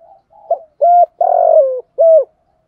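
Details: Decoy spotted dove performing the thúc gù call used to excite wild doves: faint soft murmurs lead into a clear steady coo, a long drawn coo sliding lower, and a closing round coo, with no other sounds.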